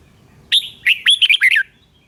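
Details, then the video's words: Red-whiskered bulbul, a recording meant for training caged birds or trapping, gives one short burst of six lively whistled notes, slurred up and down, over a quiet hiss. "Siêu tiếng chim Chào mào hay"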